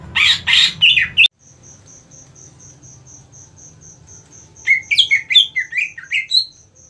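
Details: 1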